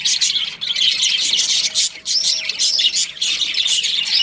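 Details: Young budgerigars chattering in an aviary, a thick wash of rapid high chirps and scratchy warbles from a crowd of birds, with a faint steady low tone in the background midway.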